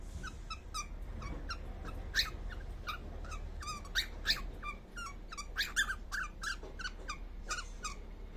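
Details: Sleeping baby cockatiel giving dense runs of small chirping notes, some louder and sharper than others, in quick irregular succession over a faint low room rumble.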